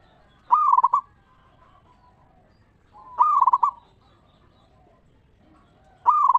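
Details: Local zebra dove singing in the ngeristal style, used as a lure to make other zebra doves answer: rapid, bubbling trilled coos in half-second bursts, repeated about every two and a half seconds.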